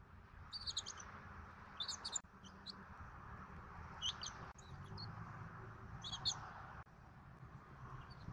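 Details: At a Southwest Florida bald eagle nest on 14 February 2024, with an adult pair and eaglet present during dinner. Clusters of rapid high chittering notes repeat roughly every one to two seconds over a constant low hum.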